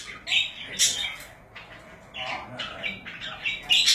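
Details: Pet budgerigars calling indoors: harsh, buzzy squawks and chirps in the upper range, bursts of chatter with a few loud sharp notes, repeated irregularly.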